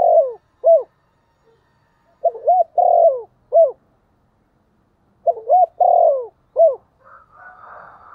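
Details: Spotted dove used as a calling decoy in a local regional voice: repeated phrases of short rising hoots around a drawn-out coo, roughly every three seconds, ending with a soft rustling sound.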